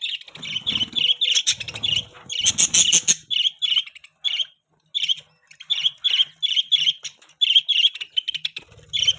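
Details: Pet budgerigars chirping in rapid bright bursts of short squawky notes. The notes cluster tightly at first, break off in a short pause, then return as evenly spaced chirps, with a faint low hum underneath.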